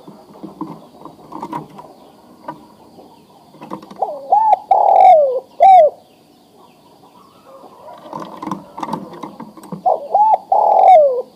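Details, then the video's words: Adult male spotted dove, ready to breed, calling a female to mate: two short rising-falling coos followed by a longer drawn-out coo, given twice about six seconds apart, with soft rustling and background noise between phrases. "Suara Tekukur Jantan Memanggil Betina Siap Di Kawinkan"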